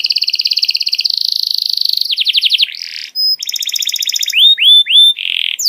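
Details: Tutoring song for young canaries: a fast, high, even trill, then a rolling series of sweeps, a short gap, a buzzy trill and a few rising whistled slurs ending in a harsh burst.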